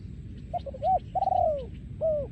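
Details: Spotted dove breeding male, song style called โยนคูอ่าง, recorded 2023: clipped low coos lead into a long vibrating coo that slides downward, closed by one rounded coo; steady low rumble underneath.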